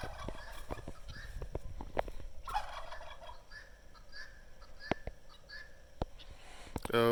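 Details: Guineafowl (guinea hens) in spring give harsh, clacking, rapidly repeated chatter with sharp staccato notes, and a louder burst near the end over a low background rumble. They are described as noisy birds that never stop.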